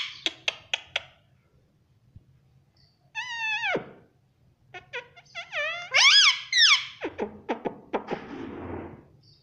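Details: Talking Indian ringneck parakeet kept as a pet, said to call mummy and papa; sharp clicks open, then a long falling harmonic call, more clicks and a burst of loud, wavering squawks trailing into breathy noise.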